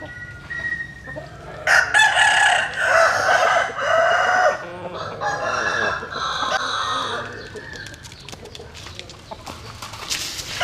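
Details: Roosters crowing at daybreak as chickens warm themselves in the morning sun: a faint distant crow, then a loud, extended crow overlapping a second one, tapering into scattered clucks and rustling.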